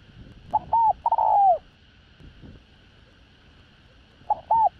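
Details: Spotted dove calling and cooing to lure wild doves; soft hollow coo phrases, two quick notes followed by a drawn-out downward-sliding coo, then a pause and a new phrase starting; steady background hum.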